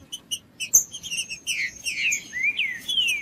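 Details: Green-winged saltator song meant to warm up other saltators and coach fledglings: a few short chips and clicks, then a run of loud slurred whistles sweeping downward, with a faint constant high-pitched tone behind.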